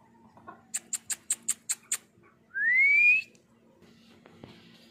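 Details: Pet ring-necked parakeet indoors: a quick run of seven sharp, evenly spaced high clicks, then one smooth, loud whistle rising steadily in pitch for under a second, followed by quiet room hum.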